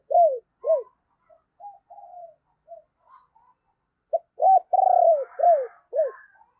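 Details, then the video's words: Morning cooing of a decoy spotted dove meant to attract wild doves. Quieter scattered hoots come first, followed by a strong run of low arched coos and one long vibrating note near the end. "cu gáy - Chim Cu Mồi Thúc Và Gáy Gọi Bổi, Dùng Kích Bổi Vào Buổi Sáng Rất Hiệu Quả"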